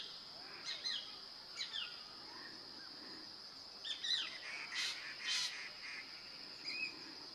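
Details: Hair-crested drongo (Dicrurus hottentottus) near a house in Ranikhet, Uttarakhand, Indian Himalaya, singing loudly as if competing with a Himalayan treepie and sheep: short, sharp, metallic chips and squeaky notes every second or so, over a steady high insect drone.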